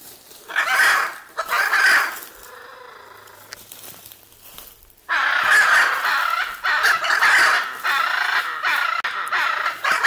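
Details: Hyacinth macaw pair among others at Caiman Ecological Refuge, Southern Pantanal, Brazil, 18 July 2019, squawking relentlessly: two brief harsh, grating bursts, a quiet pause, then a long run of raucous calls.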